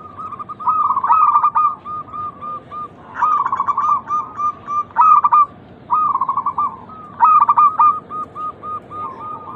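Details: Local zebra dove singing as a lure to make other doves coo: four or five phrases of rapid, bubbling trilled coos, each starting with an accented note, repeated every couple of seconds.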